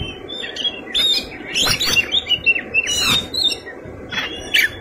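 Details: Oriental magpie-robin (kacer) in energetic fighting-style song rich in fill-in phrases: rapid mix of high whistles, chirps and short rising and falling slurs, bursts of varied notes with brief gaps, faint background hiss.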